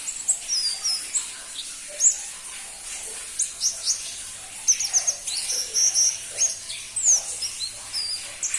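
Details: A crimson-breasted flowerpecker (pentis pelangi) utters scattered, very high, sharp chirps and thin slurred whistles. A brief dense cluster of ticks comes midway, with faint steady hiss behind.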